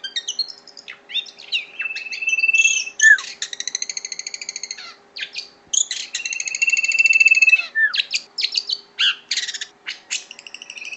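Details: Long-tailed shrike singing steadily: a varied, mixed song with rapid buzzy rattles, a level whistled note, and bursts of sharp chips, delivered continuously over a faint background hum.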